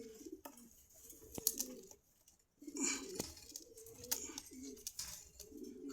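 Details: Pigeons for sale at Meradia market, Khilgaon, Dhaka, uttering deep gurgling coos in short repeated bouts, a brief silence midway, with sharp clicks and cage rattles around them.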